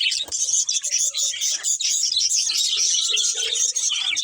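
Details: Pet budgies chatter in a continuous high twitter, with faint lower sounds, possibly a voice, underneath.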